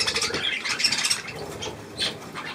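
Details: Budgerigars with young near millet, 3 May 2024: softer, scattered chirps and short warbles mixed with a few squawks, as a person says "please" in German.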